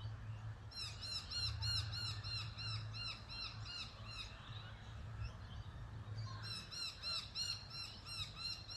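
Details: Australian magpie (Gymnorhina tibicen, subspecies telonocua) uttering rapid bursts of harsh, arched squawking notes, a dense series, a brief pause, then another fast series, with steady low rumble beneath.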